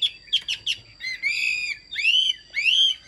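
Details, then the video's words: Caged hwamei from China delivering a few sharp chirps, then long rich whistles that slide upward and bend, each held for about half a second, with brief pauses between. "hót tốt bài bản"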